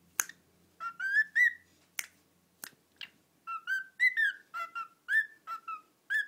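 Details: A pet male cockatiel whistles the Addams Family theme in clear, sliding phrases, broken by sharp snapping clicks.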